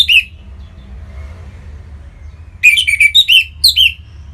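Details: Orange-headed thrush (Anis Merah) song from Bali used to stimulate other birds to sing: short bursts of loud, sharp whistled and chirped notes with steep frequency sweeps, separated by quiet gaps with faint softer whistles and low hum.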